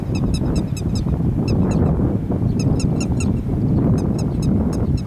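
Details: Grey-headed lapwing in rice paddies, 13 May 2021, giving short series of sharp, high repeated notes separated by brief pauses, partly masked by a heavy, constant low rumble.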